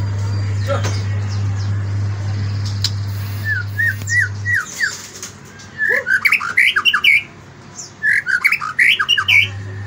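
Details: White-rumped shama singing in the morning: after a few seconds of low hum, bright whistled phrases and rapid rising and falling notes come in bursts, with short pauses between the groups.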